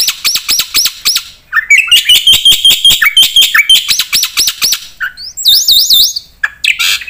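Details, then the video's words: Black-winged myna in energetic 'gacor full isian' song, full of varied inserted phrases: rapid runs of rising whistled notes near the top, then buzzy repeated chips and a wavering high trill, dense and loud throughout. "suara burung jalak putih gacor full isian"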